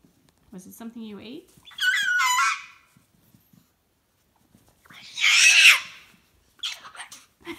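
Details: Indoor pet cockatoo after a fall from a bed, giving two harsh, rasping screech bursts several seconds apart, with a person talking softly before and between them.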